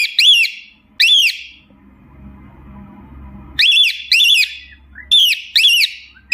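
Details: A cockatiel gives loud, shrill, rising-and-falling whistled calls in quick pairs, pausing between bursts, over a low hum; these are calls to companions, played to help recover a lost bird.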